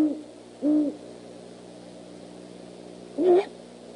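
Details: Great horned owl perched on the rail of the Decorah eagle nest at 11:20 PM on 25 January 2015, calling back and forth: two low, even hoots about half a second apart, then a higher, rougher, wavering hoot near the end.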